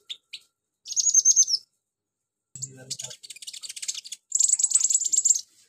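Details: Konin sunbird imitating insects and chicks, including cililin, crickets and golden grasshoppers, produces clean high buzzy trills, a dense stuttering rattle and a long shrill insect-like reel, with near silence between phrases.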